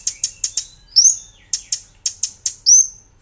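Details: Brown-throated sunbird on a cage-bird training master, giving rapid high buzzy chips in quick series broken by two longer rising whistled notes.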